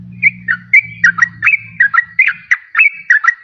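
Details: Yellow-vented bulbul song played as a lure for wild birds and to coax quiet birds into singing: clear whistled notes, some rising and some dropping, in quick pairs over a low steady hum that fades out.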